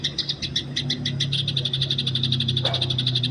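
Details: Wild Eurasian tree sparrow, fighting song recorded in the open for bird training: bright chirps repeated about four times a second, at first slightly uneven, then a denser, steadier run, with a continuous low droning background.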